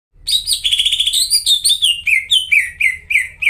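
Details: Greater green leafbird in full, vigorous song, used as a lure to prompt caged leafbirds that have stopped singing: a quick run of high, sliding whistles stepping downward, each note sharply slurred, with a brief buzzy passage early on.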